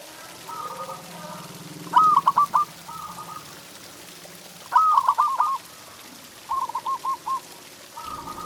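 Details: Local zebra dove tutor song for stimulating pet doves, quieter here over a hissy, rumbling background: three separated phrases of clipped, stuttered coos.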